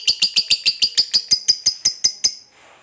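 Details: Lovebird of fighter type giving a short burst of about a dozen sharp, high chattering notes, evenly spaced, fading slightly before stopping abruptly, followed by quiet.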